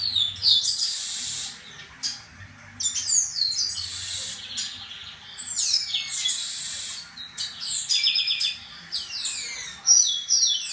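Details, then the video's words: Male chestnut-capped blackbirds in a singing dispute, high sliding whistles and buzzy descending phrases in short bursts with gaps, faint low hum of background noise. "Disputa canto entre Garibaldis"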